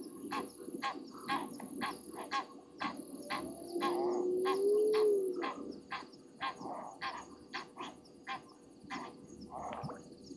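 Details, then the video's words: At a night-time South African waterhole in Sabi Sand, agitated Egyptian geese give a rapid series of rough, evenly spaced honks, about two per second, over a droning low hum and intermittent high insect trills. "Egyptian Geese upset over something"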